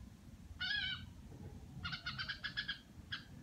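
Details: Red-whiskered bulbul kept at home, giving the low chattering style called "rò": one drawn-out buzzy burst, then a run of short harsh stacked notes and a final brief burst, with low background rumble.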